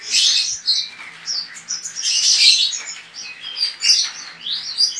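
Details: Competition pleci (Javan white-eye) kept caged in Pontianak, Indonesia; loud, breathless high warbling with scratchy squeaks and slurred whistles packed into a nonstop stream.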